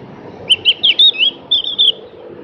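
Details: Javan grey-throated white-eye, local name cak gentong, in a sweet phrase of varied slurred whistles, some rising and some falling, in two short bursts, with low background hum.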